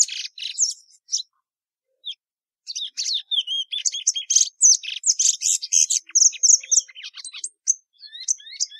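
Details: Extended plumbeous seedeater (Sporophila plumbea) song, with a short phrase, a pause, then a long run of varied twitters, buzzes and slurred whistles that fades into scattered soft notes.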